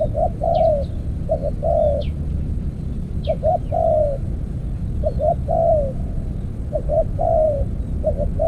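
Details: Spotted dove heard in decoy trapping with an earthen trap cage, giving steady coo phrases of two short notes and a long falling coo, with brief high chirps from other birds early on.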